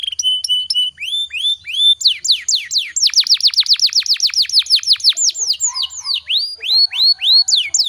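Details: Canary singing a long rolling song meant to trigger other canaries into song: steady whistled notes, then rapid series of falling sweeps repeated several times a second, with trills and high chirps.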